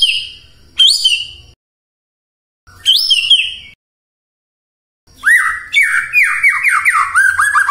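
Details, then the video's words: Morning lure of white-rumped shama song meant to make quiet shamas answer: two ringing, upslurred whistled phrases with harsh overtones, then a long rapid run of repeated descending whistles over faint low rumble. "Pancingan PAGI-PAGI AGAR MURAI GACOR❗ murai diam pasti ikut NYAUT EMOSI❗❗"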